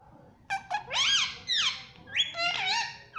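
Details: Pet ringneck parrot giving loud harmonic squawks with rising and falling pitch, three main calls separated by short gaps, a quiet indoor background.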